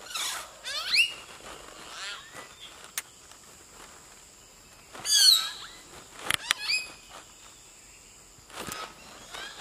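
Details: Common hill myna singing in Nagarahole National Park, a varied string of sharp whistles, rising squeaks and harsh chattering notes in separate bursts several seconds apart, with a steady high insect-like hum running throughout.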